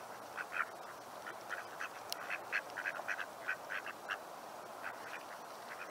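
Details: Male mallards (drakes) chirping among local waterfowl in a Seattle neighbourhood: short, soft mid-pitched notes repeated irregularly, several per second at times, over steady background hiss.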